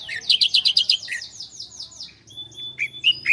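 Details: Master recording of a bar-winged prinia (ciblek Koya) used to train cage birds. A quick burst of rapidly repeated, high, sliding notes opens, then a few thin whistles and scattered sharp chirps.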